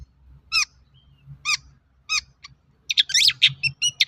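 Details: Long-tailed shrike song used as a lure to prompt other shrikes to sing; sharp descending notes spaced about a second apart, then a dense burst of scratchy chirps over a low background hum.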